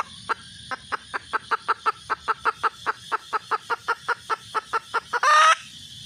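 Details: Female red junglefowl calling for a mate: a long, even stream of over twenty short, sharp clucks, about four per second, ending in a loud raspy blast. Low rumble throughout.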